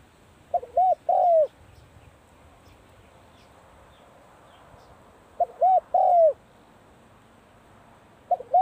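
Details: Spotted dove, as winter begins, giving mellow, low coos in three-note phrases, two short notes then a longer drawn-out one, repeated every four to five seconds over quiet background.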